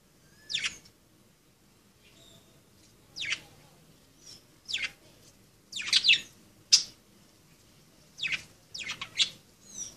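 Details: Budgerigars at play, giving short downward-sweeping chirps in scattered bursts, a few clustered together, with faint thin whistles between calls in a quiet indoor setting.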